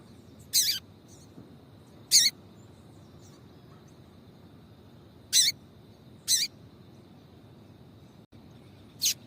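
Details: A female papa-capim calls to excite males into singing: five short, bright, sharp chips spread irregularly, roughly every one to three seconds, with low steady background hiss.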